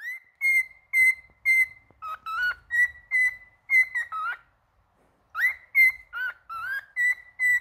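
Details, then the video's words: Male cockatiel song of crisp, evenly spaced whistles, about two per second, with level notes alternating with lower wavering ones. There is a brief pause before the whistling resumes with a rising note. "Calopsita Cantando Macho"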